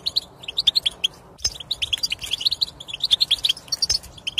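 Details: European goldfinch song for coaxing a silent goldfinch to sing: continuous rapid tinkling chatter, high and bright, with a brief pause and tight trilled notes mixed in.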